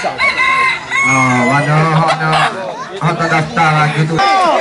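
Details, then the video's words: Hybrid red junglefowl crowing at a crowing contest, known locally as 'Sorok Bon', at Felda Tenang, Terengganu; several harsh, rasping crows rise and fall in pitch while people talk nearby over a steady low hum. "Pertandingan suara kokok ayam hutan hybrid"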